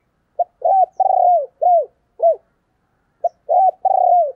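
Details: Female spotted dove giving its low cooing phrase: a clipped opening note, an arched coo, a long vibrating croo falling at the end, then two more arched coos. A second phrase begins after a short pause.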